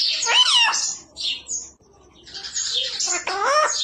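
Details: Parrot imitating people in the home, a speech-like wavering phrase followed by a hissy squawk and a quiet gap, then another rasping, voice-like utterance as someone asks if it will eat roti.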